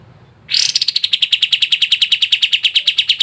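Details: Sooty-headed bulbul, used to get caged birds singing, starts with a bright burst and runs into a fast, steady trill of crisp notes repeated about three times a second.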